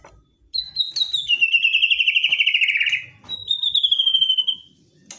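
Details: White-rumped shama in aggressive, provoking song meant to trigger a reply from a quiet bird: a brief high note, then a fast buzzy trill sliding downward for about two seconds, a pause, and another high rapid trill slowly descending.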